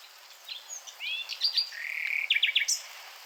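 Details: Nightingale song phrase: slurred paired whistles, a sustained buzzy note, then a quick run of three loud repeated sharp notes ending in a high upward flick.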